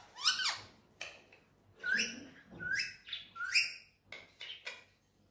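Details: Green Indian ringneck parakeet kept as a pet, making a string of short whistled and squeaky notes, several with sharp upward slides, mixed with softer chatter in a room.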